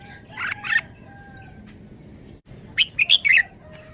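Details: Red-whiskered bulbul, a caged bird showing off its song phrases in the forest-song style: a short bright burst of quick, sharp, high whistled notes near the end, after a brief earlier phrase, with a low crowing-like tone faint in the background.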